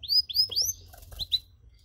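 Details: Canary singing cengkok to provoke others: three loud rising whistled sweeps, then two shorter high notes and quiet.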